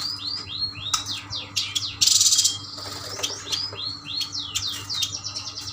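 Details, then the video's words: Caged Yuhina from Kalimantan, bought from a mixed batch of birds: rapid series of high, sweeping down-slurred chirps repeated in bursts, with a short harsh rattle midway and a constant low hum. "Burung yuhina gacor"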